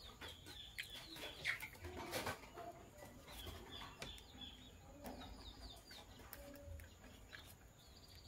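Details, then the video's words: A green Fischer's lovebird couple chirping in the morning: short, high, thin chirps and slurred notes come in quick, irregular runs, with low clucking fowl and bursts of wing flapping behind. "Green Lovebird Couple Singing & Chirping Voices - Green Fischer Couple"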